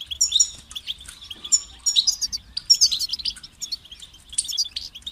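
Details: European goldfinch singing a motivating song meant to stimulate other goldfinches: high, tinkling twitters and liquid chirps in quick bursts, with short pauses between phrases that each have a clear beginning and end.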